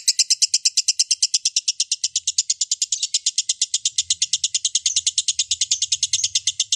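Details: Lovebird in sustained song: a long unbroken run of shrill, clipped chirps repeated rapidly and evenly, bright and metallic, with soft low rumbling in the background toward the end.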